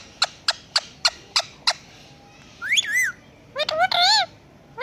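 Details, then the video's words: A pet Indian ringneck parrot imitating a cat: six evenly spaced sharp clicks, then arched, wavering meow-like calls with strong harmonics, the last a long warbling cry. "Talking Ringneck Pet Parrot😘||बात कर रहा तोता🐱Cat Voice"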